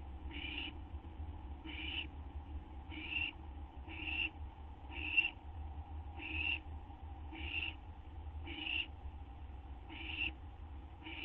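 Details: Owl about to receive a gopher or vole treat, 12:38 AM on 8 September 2011: a long run of about nine breathy hissing bursts, evenly repeated roughly every 1.1 seconds, over a faint low drone.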